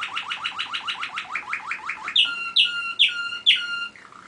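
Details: Caged Waterslager (Malinois) canary, the one of two brothers that sings while the other listens: a fast series of even repeated chirps, then four drawn-out ringing, bubbling notes spaced about half a second apart.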